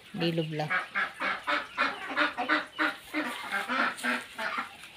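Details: Ducks offered for sale give a rapid run of loud, nasal quacks, about three per second, rough and evenly repeated, with a few deeper honking notes at the start.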